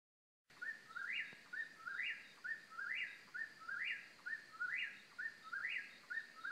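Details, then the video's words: An Eastern Whip-poor-will in central North Carolina repeats its rolling three-part whistle, whip-poor-WILL, about once a second, each phrase rising to a sharp final note, over a faint steady hum. "Whippoorwill Call"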